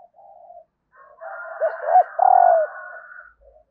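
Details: Female spotted dove giving a call meant to stimulate males: soft low murmuring notes lead into two quick hooked coos and a longer mellow coo that falls away, with a steady faint hum behind.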